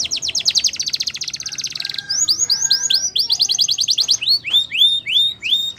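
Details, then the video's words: Canary singing a rapid rolling trill, then a mix of curved whistled sweeps and quick notes, ending with slower repeated rising whistles, loud and close. "Canary Sound Effect | Canary Singing Video"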